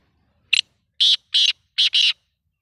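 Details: Grating, buzzy call of a black francolin (kala teetar): a short first note, then two longer harsh notes, ending in a close-spaced pair, clear against silence.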